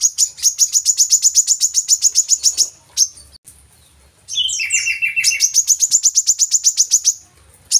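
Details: Lure song of a brown-throated sunbird for kept birds: a fast train of piercing chirps, a pause, a jumbled burst of lower, buzzy twittering notes, then the high chirping returns.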